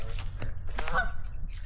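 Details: Goose on Russell Island, Southern Gulf Islands, British Columbia, seemingly agitated, gives a few short nasal honks, the loudest a quick rising pair mid-clip, over low wind rumble; two geese sound different, apparently communicating.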